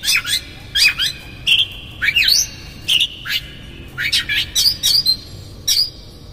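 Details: Oriental magpie-robin singing as a lure meant to provoke a rival: separate bursts of rich whistled and harsh scratchy notes, some long steady whistles, spaced roughly every half second, on a quiet background.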